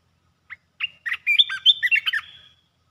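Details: Rapid 'poet dok' song of a red-whiskered bulbul. A short note opens a lively, bubbling phrase of quick, slurred whistles that rise and dip, ending in a fading buzzy tail.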